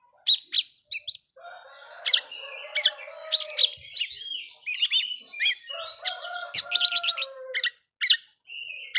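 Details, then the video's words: Oriental magpie-robin song meant to provoke rival magpie-robins: sharp chirps and slurred whistles mixed with long, steady lower tones and a fast, ringing trill near the end. "Suara burung kacer bikin emosi kacer lain"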